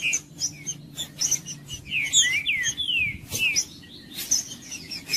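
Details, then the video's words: Green-winged saltator singing, played to warm up a cold bird: bright whistled notes slurring downward and upward, mixed with sharp high chirps and clicks, over a faint low hum. "TRINCA-FERRO CANTANDO/ESQUENTAR TRINCA FERRO FRIO"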